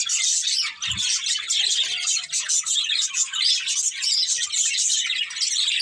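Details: Breeding pair of budgerigars chirping: a dense, continuous stream of high, scratchy warbling and twittering, with a brief low thump near the first second.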